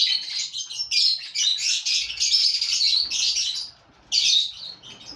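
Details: Five captive breeding pairs of lovebirds kept together in a colony: continuous high, shrill chattering and squeaky chirps from many birds at once, with a brief lull before the noisy chatter resumes.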